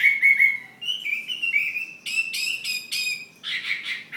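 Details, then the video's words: Chinese hwamei, a Ha Giang fighting bird, giving bright whistled notes repeated in quick sets, stepping to higher ringing tones, and ending in a rough, chattering flourish. "Họa mi chiến Hà Giang"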